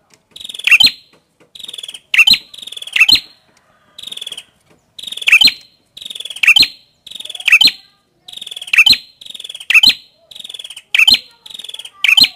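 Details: Prenjak kepala merah, a prinia, in steady song: about twelve phrases, each a thin buzzy run and a sharp high chirping burst, coming quickly one after another with brief gaps.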